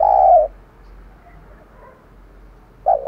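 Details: Decoy spotted dove luring wild birds: a single deep, even coo, about three seconds of near-silence, then the start of another coo.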